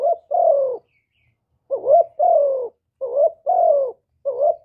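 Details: Spotted dove in 'hap boi' style, giving the calling, urging and cooing song: rhythmic pairs of a short upturned note and a longer sliding-down coo, four phrases, clean and without other noise.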